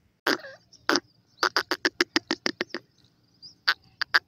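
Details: Francolin (teetar) giving two separated harsh notes, then a rapid burst of about ten rasping notes, then a short pause and three more clipped notes; a quiet background hum throughout.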